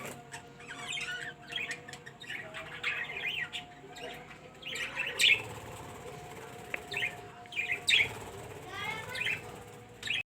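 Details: A colony of Australian parrots chatters with many short chirps and rasping squawks, overlapping and irregular, some louder screeches standing out over a faint steady background hum.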